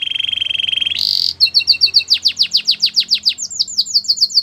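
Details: Song of a Belgian canary: a steady buzzy trill gives way to a burst of noise, then a long run of sharp downward-sweeping chirps repeated about four times a second, ending in higher whistled notes.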